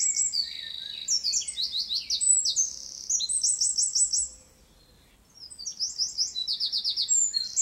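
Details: Eurasian wren in full song, a hurried stream of piercing high notes and buzzy rattling trills, broken by a silent pause of about a second before the energetic trilling resumes.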